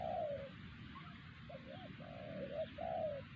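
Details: Wild spotted dove at Siosar, Indonesia, described as the strongest singer at the site and caught using a decoy bird that fell silent. It gives a low hooting phrase: a long falling coo, short wavering notes, then a drawn-out falling coo, over steady low hum.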